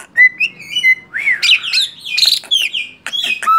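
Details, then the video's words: Male black-winged starling in lively song, giving smooth whistled slurs that rise and fall, mixed with scratchy squawks and quick chattering notes. "JALAK SUREN JINAK GACOR MASTERAN"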